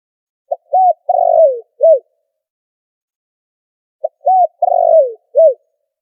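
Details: Two identical phrases of spotted dove cooing, recorded as a noise-filtered trapping lure: each has a quick lead note, a rounded coo, a long quavering coo drifting down, and a short closing coo, about three and a half seconds apart.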